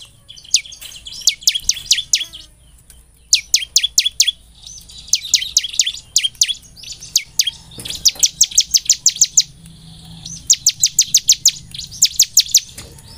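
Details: Bar-winged prinia song used to stimulate singing morning, noon and night: bursts of rapid, sharp, high ticking notes, five to eight per burst, repeated about every one to two seconds, with faint steady hum below.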